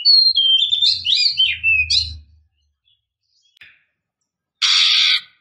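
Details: Female oriental magpie-robin calling to goad a male into song. About two seconds of quick, high whistled and slurred notes over a low hum, a pause, then a short harsh noisy burst.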